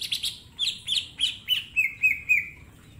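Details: Mini green leafbird master song for training: a short burst of rough notes followed by a series of about six falling whistled slurs that settle into a steady lower tone, over a low background murmur.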